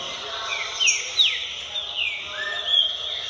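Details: Green-winged saltator singing in full form before August: a few loud clear whistled slurs, some rising and some falling, spaced irregularly over steady background hiss.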